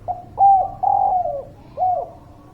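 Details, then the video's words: Lure song of a zebra dove meant to prompt lazy birds to sing: staccato mid-pitched cooing, a short note, then a longer rolling coo dropping at the end, then another bent coo, over a low steady hum. "Suara Pancingan Derkuku Gacor, Burung Malas Bunyi"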